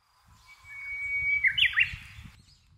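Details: Japanese bush warbler spring breeding-season song (courtship and territorial), the familiar hoo-hokekyo: a long, steady, pure whistle held about a second, then a quick, loud, tumbling flourish, over faint low background rumble.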